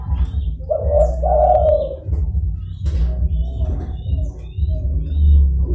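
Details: Zebra dove lure call for attracting wild doves: one clear burst of soft, quavering coos early on, a brief note then a longer rolling phrase, followed by low background hum and thin twittering from other small birds.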